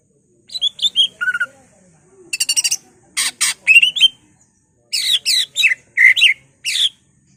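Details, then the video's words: Greater green leafbird singing to provoke rival leafbirds: scattered high chirps, buzzy broadband bursts and short warbled phrases separated by brief gaps, in a varied mimicry-filled delivery. "BURUNG CUCAK IJO Bongkar Isian, ngentrok/ Pancingan Cucak Ijo merangsang emosi cucak ijo lain"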